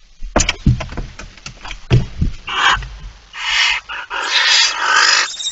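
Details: Barn owl with a mouse, 17 September 2019 at 06:11: a burst of scratching and knocking clatter first, then swelling, loud hoarse hisses that run together toward the end.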